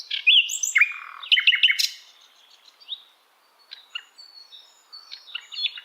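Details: Asian brown flycatcher song used to tutor songbirds: loud sharp twittering chips and short trills, then quieter spaced high notes after a pause.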